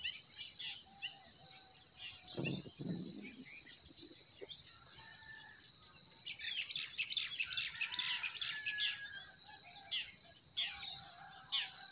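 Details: Forest birds in spring chattering and twittering rapidly, with a burst of fast warbling notes in the middle and a brief lower rustle early on, over a steady high drone.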